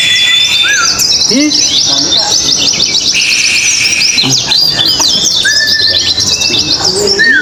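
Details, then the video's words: High, jumbled twittering from oriental white-eyes competing in a singing contest, with scattered upslurred whistles. Low human voices and chatter run beneath the birds. "pleci ABIRAWA dan R7 adu mekanik di gantangan"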